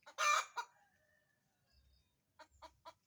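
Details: Hen's cackle around egg laying opens with a loud harsh squawk and a second shorter one, then a quiet pause before a few sharp clucks resume.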